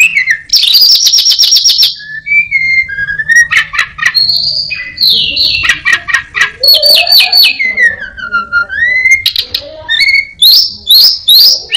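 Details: Orange-headed thrush in full song copying other birds such as prinia and a cat: fast buzzy rattles, clear level whistles, descending slurred notes and sharp chips, phrases switching every second or so, recorded close and loud.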